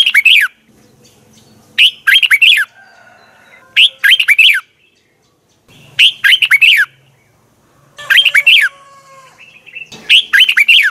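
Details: Red-whiskered bulbul giving its morning song for training other birds: six short, rich warbled phrases of bouncing notes, repeated roughly every two seconds, with faint soft whistles from other birds between them.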